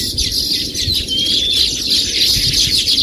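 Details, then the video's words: Baya weavers chatter in a dense, continuous chorus of high, wheezy chirps with a thin sliding whistle woven through; no other sounds stand out. "தூக்கணாங்குருவியின் ஓசைகள் | Sounds of Baya Weaver Birds"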